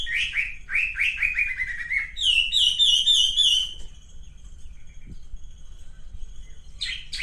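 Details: Male pink-necked green pigeon calling: a quick descending series of chirpy notes, then a brighter warbled burst, a fainter sustained whistle, and a short final note.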